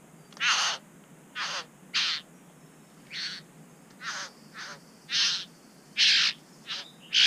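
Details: Satin bowerbird at its bower in NSW, Australia, close to an action camera that the bower owner charged and pecked. Loud harsh rasping buzzes, each about a third of a second, repeat roughly once a second in an uneven series.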